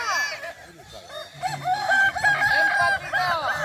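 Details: Kukuak Balenggek roosters at the final of a boko-class crowing contest, Sirukam dairy farm, Solok regency: overlapping drawn-out crows, arching and stepped, with one sustained level note in the middle, several birds calling at once and faint murmuring beneath.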